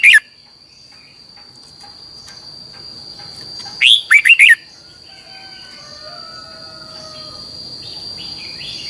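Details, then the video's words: Red-whiskered bulbul training song in the long double twisted style: a clipped note at the start, then one clear phrase of four ringing notes midway. Soft distant whistles trail afterward under a constant high whine. "luyện giọng cho chào mào hót hay - Giọng kép xoắn dài"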